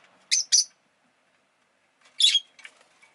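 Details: A double shrill chirp from a rosy-faced lovebird, then after a pause a rougher, buzzier call followed by softer trailing notes.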